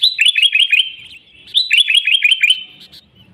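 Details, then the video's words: Sooty-headed bulbul singing, played to lure wild bulbuls; two quick series of bright, bouncing downward-slurred notes, each run of about six notes, separated by a short pause, quiet background. "Suara Burung Kutilang Gacor ASLI Tanpa isian, Ampuh untuk Pikat Kutilang bikin kutilang Ribut gacor"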